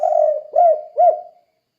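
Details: Spotted dove giving part of its "kuk 2" call for training other doves: a long rolling coo followed by two rounded, slightly rising hoots, loud and clean.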